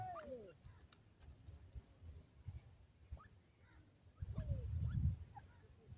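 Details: Pheasant chicks being reared, playing: a clear downward-curving peep opens, then scattered upslurred chirps, with another falling call near four and a half seconds amid a burst of low scuffling noise.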